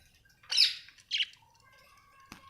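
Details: Budgerigars kept as pets at home: two short harsh squawks near the start, then faint chatter with a thin steady whistled tone and a sharp click near the end.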